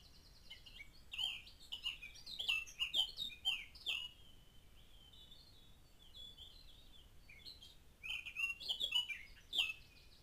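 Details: Eurasian blackcap singing quite close to a trail camera, around 19 May 2012: rich, fluty warbled phrases with quick chattering notes, in two bursts separated by a quieter twittering stretch.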